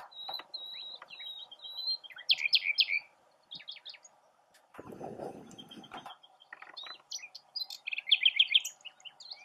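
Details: A nightingale singing from its perch in a tamarisk gives varied phrases: runs of high, pure whistled notes broken by fast, rich trills and chirps, with brief rustling midway.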